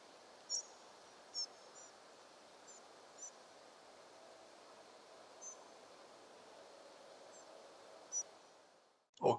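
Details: A group of Spotted Flycatchers migrating at night, mid-May 2023 at 3:50 am, give very thin, high, short 'si' notes, about eight scattered over nine seconds, over steady hiss. A sharp knock closes the recording.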